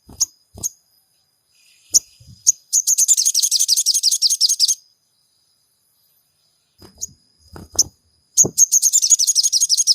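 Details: Lure recording of sogon singing, meant to stir a caged bird to sing: two bursts of rapid, buzzy, high-pitched trilling, each about two seconds, set among scattered sharp chirps and dull low knocks.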